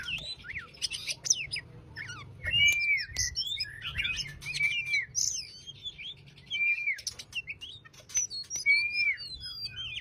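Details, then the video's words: Oriental magpie-robin giving a relaxed 'konslet ngobra' song, used to prompt a quiet bird to sing: a varied run of high chirps and twitters broken every two seconds or so by a clear, slurred whistle, over low background hum. "Kacer konslet ngobra"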